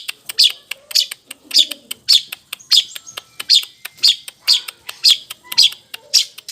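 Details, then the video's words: Long-tailed shrike (cendet blangkon) pouring out harsh, high chattering bursts about twice a second, with sharp clicks and mimicked sparrow- and lovebird-like notes, over music. "Cendet Blangkon || GACOR || Isian Greja Tarung sambung Love Bird"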